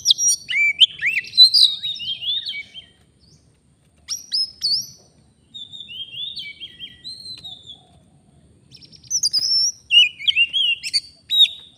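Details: Wild Oriental magpie-robin singing at a bird-luring site in the forest. Phrases of bright, scratchy whistles alternate with quieter gliding notes, then a renewed loud burst of sharp chirps.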